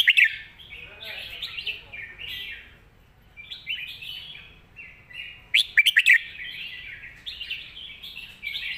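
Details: A red-whiskered bulbul kept for song contests delivers bright warbled whistles in repeated short phrases, with a rapid chattering cluster of sharp notes midway and more whistling after.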